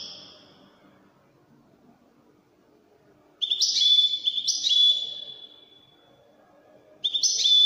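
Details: European goldfinch singing in the Moroccan Wydani style: a short high twitter at the start, then two bursts of fast buzzy, tinkling trills with a sustained whistled note, separated by pauses.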